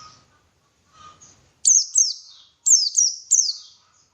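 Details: High, piercing white-eye notes used to draw out song: faint twitters, then two pairs of loud downslurred chips and a fifth note, each sliding steeply down.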